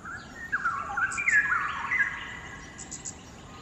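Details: Far across a cavernous Singapore quarry, one of a pair of endangered straw-headed bulbuls perched on a hanging branch pours out melodious, liquid song: fast runs of gurgling, rising and falling whistled notes, with faint higher chirps behind.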